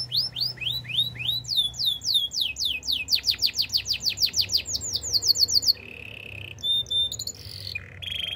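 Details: Canary singing a varied song: quick downward-sweeping notes in rapid series, then a fast trill of repeated short notes, followed by steady whistled tones and bright chirps.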